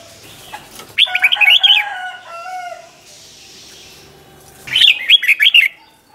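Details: Doubled 'เบิ้ล' song of a Red-whiskered bulbul for training young birds: two fast warbling phrases about four seconds apart, with lower, steady drawn-out tones sounding after the first phrase.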